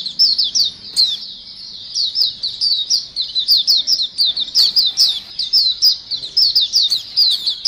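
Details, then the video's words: Busy flock of white-eyes (pleci) used as a pikat lure sound: a constant stream of thin, high, twittering chirps, many birds overlapping in quick bursts, with no other sounds. "suara pikat pleci dan pancingan pleci ombyokan gacor"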